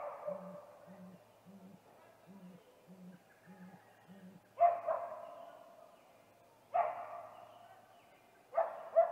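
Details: Male great grey owl calling at a snag tree nest, evening of 21 April 2019, just before visiting the nest: seven deep, even hoots about half a second apart, then three loud, rasping, harmonic bursts.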